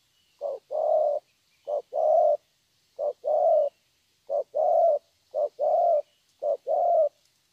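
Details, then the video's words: Spotted dove, young and wild-caught, sings six regular 'thổ' song phrases over about seven seconds. Each is a quick low coo followed by a drawn-out, even coo, with a quiet background. "Thổ tốt tiếng.(chim tơ)"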